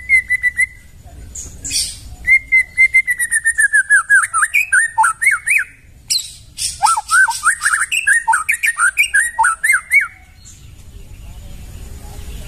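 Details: White-rumped shama singing in the forest, recorded as tutor material for training birds: clear whistles held near one pitch, then a fast run of varied slurred, rising and falling notes with sharp high chips, repeated several times a second.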